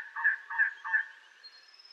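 An elegant trogon gives three hoarse, croaking notes, about three per second, followed by a faint high hiss in the background.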